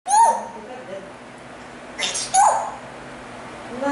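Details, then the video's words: African grey parrot fake sneezing at home: a loud whistled note falling at the start, then a brief hissy sneeze-like burst, a second short whistle and another noisy burst, with quiet room hum between. "African grey fake sneezing and talking"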